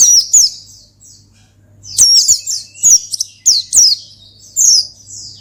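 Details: Oriental white-eye singing loudly to call and provoke a rival, delivering rapid high thin whistles that slide downward, grouped in short twittering phrases with brief gaps, over a faint low hum.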